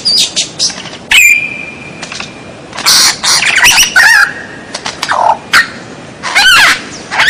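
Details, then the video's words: White-rumped shama (murai batu) masteran for training caged birds, 'strange sound' style: long level whistles, loud rasping bursts, wavering twittered notes and sharp clicks. "MASTERAN MURAI BATU SUARA ANEH"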